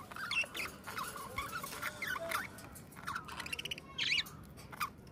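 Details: Pair of budgies singing and talking together, giving a rambling warble of quick chirps, trills and brief buzzy notes over a constant low hiss.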